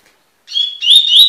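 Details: Clipped fragment of Double-collared seedeater tui tui song, a training recording: a level whistled note followed by two quick upward-sliding whistles, cut off while still singing.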